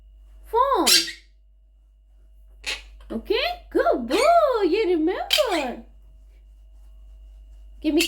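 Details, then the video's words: Pet monk parakeet talking indoors in a small room: short bursts of speech-like syllables with wavering, rising-and-falling pitch, grouped around one second and again between three and six seconds, then a brief final utterance. "Quaker Parrot Talking | Quaker Parrot Sounds | Monk Parakeets"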